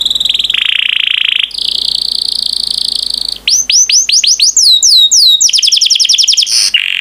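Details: Yellow pet canary singing: a long buzzy high trill, then a second steady trill, followed by varied rising and falling whistled sweeps in quick succession.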